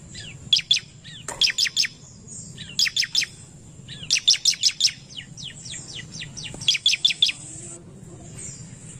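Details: Bar-winged prinia, excited by a lure recording, singing rapid bursts of three to six high, sharp, downslurred notes. The bursts repeat every second or two, with a faint hum beneath.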